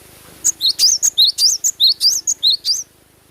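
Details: Energetic cinereous tit song in natural sound: a tight sequence of about ten piercing, high whistled notes alternating upward-sweeping and flat tones, delivered rapidly over two and a half seconds, then silence.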